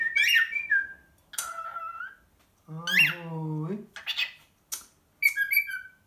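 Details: Czech pet cockatiel, male, greeting with a mimicked "ahoj": squeaky rising syllables and a steady whistled tone of about a second, between a man speaking the greeting in a deep voice, indoors.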